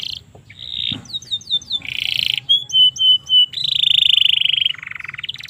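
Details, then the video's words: Domestic canary song recorded as tutoring material: a brief buzz, quick slurred whistles, pure steady whistled notes repeated four times, then a long loud rattling roll dropping lower. "suara burung kenari cocok untuk masteran maupun pancingan kenari paud"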